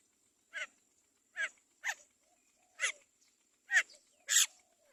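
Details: A Great myna chick being fed by its mother gives six harsh, raspy squawks at uneven intervals of roughly half a second to a second, over a steady high thin whine in the background.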